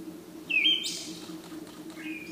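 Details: Siberian thrush song recorded 17 June 2017: one short whistled note slides downward at a fairly high pitch, then a hissy, harsh burst, then a faint thin note near the end, over a steady low hum.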